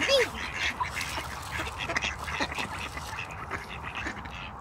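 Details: Pond ducks in Espoo, Finland, playing and quacking. A short upslurred call opens, followed by irregular raspy quacks over rippling water.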